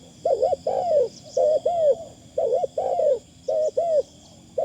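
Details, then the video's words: Calling decoy Spotted Dove with a delicate phrasing: four clear doublets of soft, arched coos, each pair separated by brief pauses, over a quiet steady high whine. "ต่อนกเขาใหญ่ เสียงดีมากคารมบางๆฟังแล้วเพลิน"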